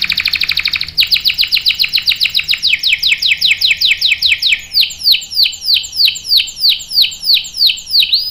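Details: Prolific singing canary with a long roll: a fast, buzzy trill opens the phrase, then gives way to a long series of bright down-slurred notes that gradually slow and spread apart.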